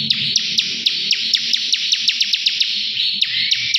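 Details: Bar-winged prinia, known locally as ciblek, in loud continuous song: a dense high buzzy trill with rapid repeated sharp notes about four per second, ending with a short rising whistle; faint low background noise.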